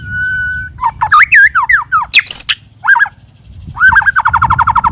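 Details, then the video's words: White-rumped shama singing as a lure: a steady whistle, then looping slurred phrases and a harsh burst, ending in a rapid stuttering train of short repeated notes. "Pikat Suara Burung Murai Batu"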